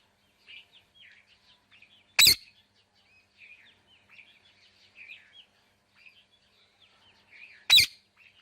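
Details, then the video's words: Parrot letting out two single sharp screeches several seconds apart, with soft continuous twittering chatter throughout. "Talking Parrot Natural Sounds"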